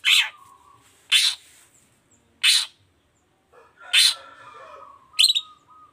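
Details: Long-tailed shrike sounds used to prompt other shrikes into song: loud, rasping broadband notes repeated roughly every second or so, with a low steady whistled tone drawn out between some of them.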